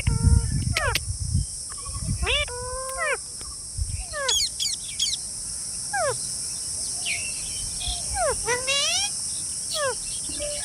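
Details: Green parrots produce sharp upswept chirps and harsher squawks in spaced groups, separated by short gaps, against a continuous high hiss and occasional low thumps.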